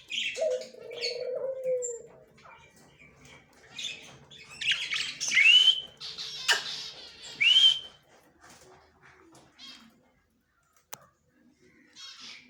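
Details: Yellow male budgerigar on October 9, 2024, giving grating squawks and a few rising whistled notes in the first half, then falling mostly quiet with a single sharp click near the end.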